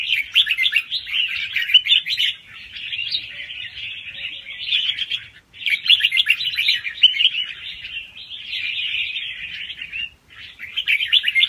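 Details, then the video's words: Young wild red-whiskered bulbul giving quick-round song with doubles, played to stimulate other birds; warbled bursts of two to three seconds separated by brief silent gaps, clean background. "ลูกนกกรงหัวจุกป่าคัดหัวปากเบาๆ รอบเร็ว มีลักเบิ้ล ใว้เปิดกระตุ้นนกฟังนกคึก"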